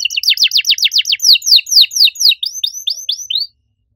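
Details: Loud canary song in a unique melodic style, a steady series of quick downward-slurred notes, slowing slightly and shifting into softer rising chirps before falling silent.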